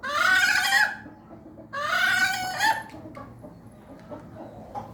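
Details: Hen making an unusual sound: two long, nasal, harmonic squawks about a second each, the second ending in a downward bend, then a few soft, faint clucks.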